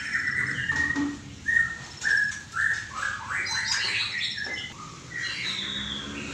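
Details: Clear whistled notes from a white-rumped shama, several loud slurred whistles in quick succession, then a dense jumble of high chattering and warbling notes.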